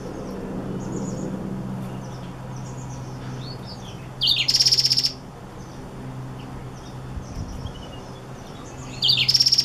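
A seedeater hybrid gives two brief, high song phrases, each a quick rising note breaking into a rapid buzzy trill, about four seconds apart, over a low hum.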